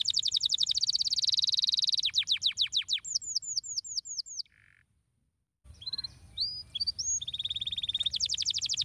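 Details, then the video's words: Canary singing a stimulating song meant to get other canaries singing: a dense rapid high trill gives way to steep falling sweeps and a row of downslurred whistles, a brief low buzz, a silent break, then scattered whistled notes and another fast trill. "bom canário! sua voz faz com que os canários silenciem imediatamente, cantando"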